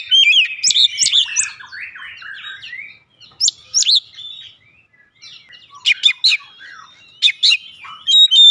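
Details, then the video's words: Oriental magpie-robin lure song meant to set a bird singing: dense, rapid, varied twittering phrases, then short pauses broken by sharp, high, clipped notes in clusters. "pancingan Kacer langsung buka paruh GACOR"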